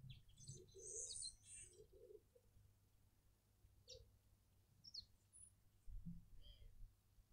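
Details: Burchell's coucal in a suburban garden in Pretoria, South Africa, gives a short run of low, hollow hooting notes, with high thin chirps of other birds and a low background rumble.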